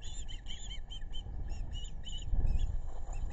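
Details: Ospreys at a river nest in South Kingstown, Rhode Island, on July 11, 2022, two adults with two chicks, recorded by a webcam: quick whistled chirps in short bursts for about two seconds, then fade into louder low rumbling noise.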